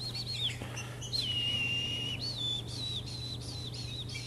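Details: Caged green-winged saltator singing during jumping exercise: one long drawn whistle followed by short wavering whistled phrases repeated roughly twice a second, with a constant low hum.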